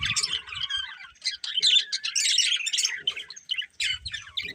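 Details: Colourful budgerigars of a breeding pair chirping in uneven bursts of squeaky, buzzy warbles and sharp notes separated by short gaps, with low thuds between.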